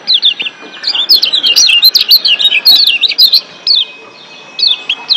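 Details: Wild Lombok white-eyes in chorus to stimulate breeding condition and singing: a fast run of high, wiry twitters for about three seconds, then a few widely spaced downslurred chirps.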